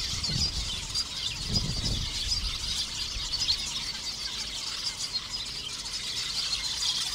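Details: Many lesser masked weavers at a busy breeding colony in thorn acacias in shallow water at Sunset Dam, Kruger National Park, give a dense, steady chorus of buzzy, sizzling chatter and squeaky notes, with a couple of brief low thumps near the start.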